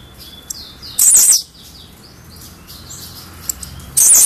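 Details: Albino blue-black grassquit giving two short, loud, buzzy bursts of song about three seconds apart, over thin high whistles from other birds.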